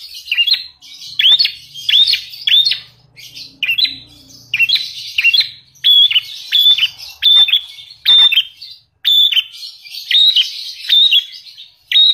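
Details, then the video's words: Lovebird of a champion line, singing a song with filler mimicking the Javan prinia (prenjak alas), a native Indonesian bird: bursts of sharp, high chirped notes in quick repeated phrases, separated by brief pauses, over a faint low hum. "LOVE BIRD isian prenjak alas"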